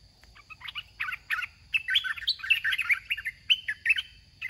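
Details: Red-whiskered bulbul singing during a decoy trapping contest: lively bursts of short chirpy, warbled phrases rising and falling, several per second in clusters, over a steady thin high tone and a low background rumble.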